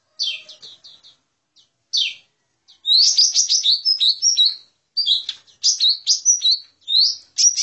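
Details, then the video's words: Lesser green leafbird lure call: a lively, high chatter of quick, varied whistles and sharp chips in dense bursts, with short pauses between phrases. "suara pikat burung cucak ijo mini"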